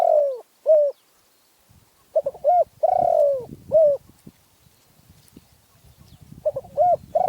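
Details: Spotted dove in Phrae province, Thailand, giving repeated cooing phrases of stuttered lead-in notes, a drawn-out falling coo and a short closing coo, with low rumbling background noise between phrases.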